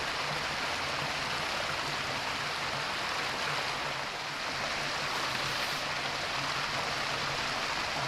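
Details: A rushing stream fills the recording with a steady broadband wash of water on a February day, with no animal calls.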